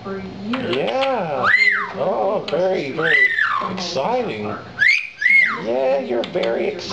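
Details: Pet lilac-crowned amazon parrot at home with its owners: repeated arching whistles, several swooping up high and falling, mixed with chortling notes and human talk in a small room.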